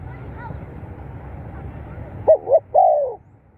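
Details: Spotted dove call used as playback to stimulate captive birds: after two seconds of low steady background hum, one phrase of two quick rising-falling coos followed by a longer, drawn-out descending coo.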